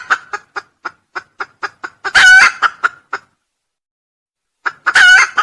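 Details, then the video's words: Red junglefowl crowing, used as a lure: a series of short sharp clucking notes, then a loud harsh harmonic crow about half a second long, more clucks, a pause, and a second crow near the end. "suara ayam hutan berkokok cocok untuk pikatan"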